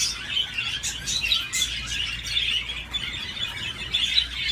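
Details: Budgerigar playing on a swing, giving a steady warbling chatter of rapid chirps and scratchy notes, with brief brighter squeaks every second or so over a faint low hum.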